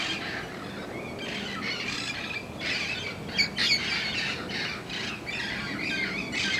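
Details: Protected red-crowned amazons, a flock heard every morning, give harsh broadband squawks in quick irregular bursts, many overlapping calls from several birds, with a steady low background hum of outdoor ambience.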